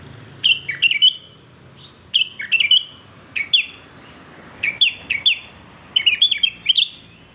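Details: Sooty-headed bulbul, called kutilang, singing to provoke other bulbuls: short bursts of bright, bubbly whistled notes, each group of two to four notes separated by pauses of about a second, over quiet background hiss.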